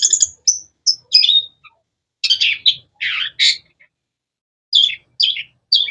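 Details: Long-tailed shrike (cendet) voicing sharp, varied notes: high squeaks, buzzy rasping bursts and a cluster of harsh scolding sounds, then three short grating calls after a pause.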